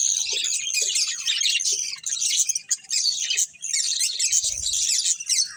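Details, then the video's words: A breeding pair of budgerigars chatters in high, scratchy warbled chirps, with a few brief breaks and a soft low thump near the end. "Beautiful Budgies Chirping Sounds"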